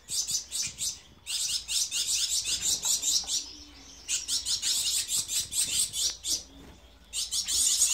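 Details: Captive Gouldian finches from a breeding collection: rapid, very high, thin chirping notes in dense bursts of about three per second, with short pauses between runs.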